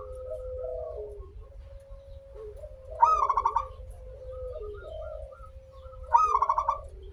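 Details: Local zebra dove in full song with a long opening phrase, used as a lure: long low level coos with small inflections, broken twice by a bright rapid trill of stuttered notes, about three seconds apart.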